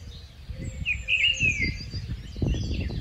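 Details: Brief phrase from a Rufous-tailed scrub robin, a migratory bird: a rich, rolling warble gliding downward, with faint high chirps behind and low wind noise.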